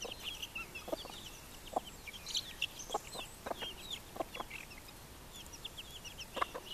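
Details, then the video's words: Chicks peep busily with thin, high, wavering notes almost nonstop while hens add occasional short low clucks every second or so. "Hühner und Küken"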